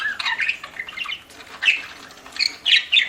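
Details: Budgerigar chirps while feeding, a lively mix of scratchy warbles and short high squeaks, ending in several sharp chirps.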